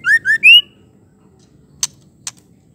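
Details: Female white-rumped shama calling to provoke males into singing: three clear whistled notes rising in pitch, the last longest, followed by silence and two sharp faint clicks.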